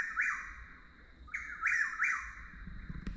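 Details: Close, loud whistled calls of a Chuck-will's-widow, vocal under certain light conditions: one phrase, then two more in quick succession, each rising then dropping, followed by a sharp click and faint low thumps.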